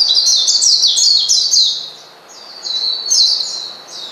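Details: Oriental white-eye provoking a rival with its call: a burst of rapid high chirps and slurred whistles, a short pause, then a further sweeping, thin phrase.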